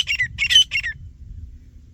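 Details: Grey francolin, said to be a male and female fighting, gives three harsh, squawking bursts in quick succession within a second, then falls quiet over a low rumble.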